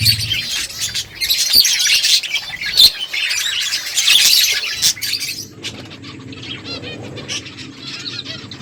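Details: Feeding finches produce a thick chorus of high, overlapping chirps and twitters for about five seconds, then it thins to scattered tweets over a quiet hum.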